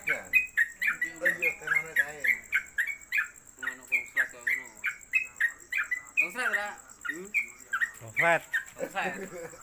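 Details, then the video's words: Caged Sooty-headed Bulbul singing rapid repeated chirps for about five seconds, then broken notes mixed with people talking and a faint steady whine. "Trucuk Konslet Kemedol Berdurasi Pendatang Baru Cocok Masteran"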